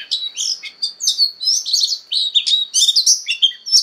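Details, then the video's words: Oriental magpie-robin in fighting song during voice training, pouring out quick clear whistles, upslurred and downslurred notes and crisp chirps in a continuous lively run. "Choè than hót đấu/Choè than hót luyện giọng căng lửa/Choè than hót"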